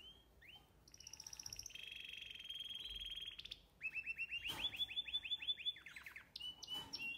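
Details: Canary chicks in an aviary being fed: high, shrill calls repeated rapidly, first as a sustained buzzy strip, then as a fast series of sharp rising chirps, about three per second, with faint background hiss.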